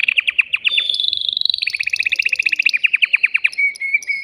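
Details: An excited male canary sings to prepare a female for mating: quick repeated downward-sweeping chirps, a high rolling trill, then another long run of rapid descending notes.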